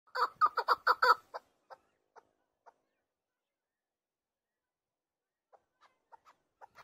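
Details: Chukar partridge calling: a quick burst of loud, harsh chuck notes for about a second, then a few scattered, softer notes that fade and briefly return near the end.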